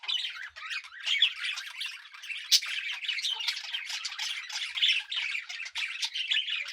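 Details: Calm, relaxed, napping budgerigars recorded on 24 July 2019 chatter continuously with bright, scratchy chirps and warbles.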